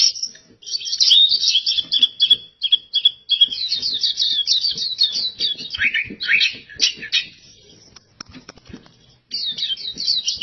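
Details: Gacor singing by an oriental white-eye (pleci): long runs of rapid, high, chattering twitters, one lower buzzy dip, a quieter lull, then the fast chirping resumes.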